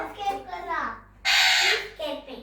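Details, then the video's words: Talking parrot mimicking words: a few voice-like syllables, a loud, harsh, rasping squawk in the middle, then another short spoken-sounding syllable, heard in a small room. "Raw Talking Parrot saying mithuu and more words"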